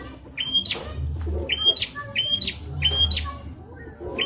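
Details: Bar-winged prinia song meant for teaching shamas and leafbirds: four or five loud rising whistles, each capped by a sharp high flick, repeated at steady intervals over low background hum.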